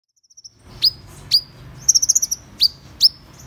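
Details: Van Hasselt's sunbird song: very high, sharp upswept chips repeated roughly every half second, with a quick burst of six rapid tinkling notes in the middle; faint low background hum.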